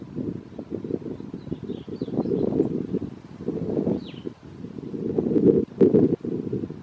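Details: Hairy woodpecker excavating a hole in a tree, Guadalupe Mountains National Park, Culberson County, Texas, May 5, 2016; uneven bursts of muffled pecking thuds, sharper knocks near the end, faint high chirps of other birds and wind noise.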